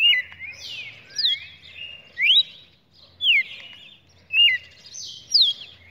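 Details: Red-cowled cardinal song recorded 23 June 2019, with bright whistled notes that rise and fall in brief phrases, a burst roughly every second and quiet gaps between, over a soft low rumble.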